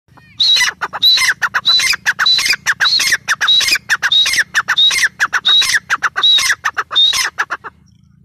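A female grey francolin gives loud, harsh, squawking notes, each topped by a thin whistle, repeated about once every three-quarters of a second.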